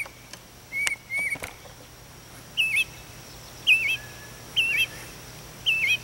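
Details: Mockingbird on a chimney at daybreak, sound carrying down into the house through the fireplace; a few fluttering taps, then clear whistled chirps with a dipping bend, spaced roughly a second apart.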